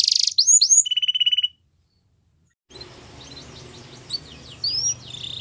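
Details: Yellow canary training song: bright rapid whistled notes and a rattling trill, a sudden silence of over a second, then quieter swooping whistles over a faint low hum.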